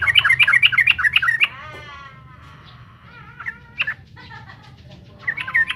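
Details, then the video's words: Yellow-vented bulbul song meant to provoke rivals: a burst of quick bubbly notes, then a drawn-out harmonic wavering tone, a few isolated sharp notes, and a closing chattering run. A low hum sits beneath. "SUARA BURUNG TRUCUKAN GACOR BIKIN EMOSI TRUCUKAN LAWAN"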